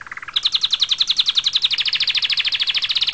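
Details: Canary song: a short low trill steps up into a fast, even rolling trill of bright repeated notes, about ten per second, loud and clear throughout.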